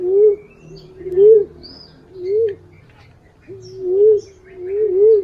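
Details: Mellow warbling coos of a green pigeon, used for luring, each note rising then dropping, given singly and in pairs about once a second, with faint high twitters behind.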